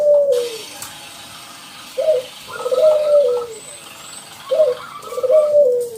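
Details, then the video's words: Active-singing local zebra dove with a loud voice, used to coax other doves into song: drawn-out coos sliding downward, repeated about every two seconds, with clipped higher notes between them. "Perkutut lokal gacor"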